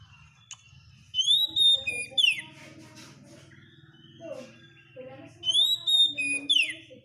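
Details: Oriental magpie-robin (kacer) song as masteran for teaching caged birds: two loud whistled phrases, rising then sharply falling, over a steady low hum and a faint murmur of voices in the background.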